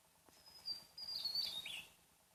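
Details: Small Javan tesia, found only on Java, sings in the wild: a piercing thin whistle held high, then a hurried twittering run of notes slipping downward at the end.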